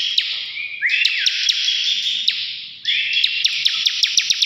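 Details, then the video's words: Two bursts of dense buzzing song from a bar-winged prinia, ngebren style, each opening with a rising whistle and carrying rapid regular ticks, separated by a brief drop. "CIBLEK NGEBREN GACOR"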